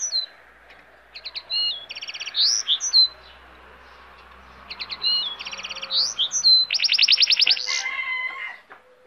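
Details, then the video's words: Goldfinch hybrid singing a varied, high-pitched song: bursts of rapid trills, buzzy rattles and sharp slurred whistles in two phrases, separated by short pauses, over a soft background hiss. "cante de hibrid de sticlet - Mixto de Jilguero - الهجين الحسون"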